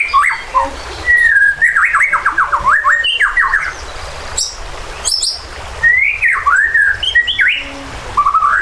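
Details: White-rumped shama in an emotional, agitated song meant to stir other birds to fight and sing. Loud, rich whistled phrases rise and fall in quick zigzag sequences, separated by brief pauses, with an outdoor background hum.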